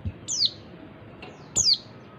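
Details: A female oriental white-eye gives a call used to provoke males into full song: two bright, high whistled notes sweeping downward, just over a second apart, with a faint low hum.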